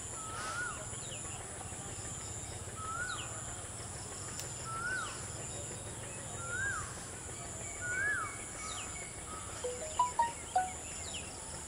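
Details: Rufous treepies, a pair sitting in a dry Sheesham tree, repeat a short fluty whistled phrase roughly every two seconds, ending with a few sharp harsh notes, against constant high insect buzzing.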